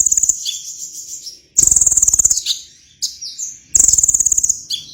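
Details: An actively singing sunbird gives high-pitched, fast, buzzy trills lasting under a second, repeated every couple of seconds. Brief sharp chips and short slurred notes fill the gaps. The background is quiet.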